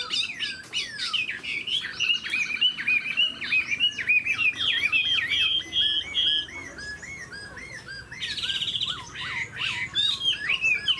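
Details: Caged, tame Chinese hwamei singing a fast, continuous medley of slurred whistles and sharp trills, notes sweeping up and down repeatedly, with a loud rush of higher notes after a short lull.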